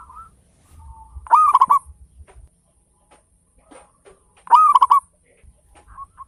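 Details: Local zebra dove with a strong voice, kept to stimulate other birds to sing, delivering two loud rolling coo phrases about three seconds apart, with a few faint single notes between them.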